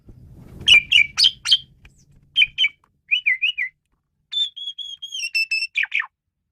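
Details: Asian pied starling delivering fast chirps, a wavering warbled run, then a drawn-out level whistle ending in a descending squeak, with faint hum early on.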